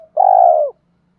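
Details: Spotted dove calling to lure wild doves: one loud, steady, mellow coo lasting just over half a second, falling slightly at the end, then silence.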